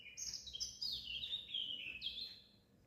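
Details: Birds singing at a window: faint, high whistled and twittering notes sliding downward in quick phrases, with soft background noise.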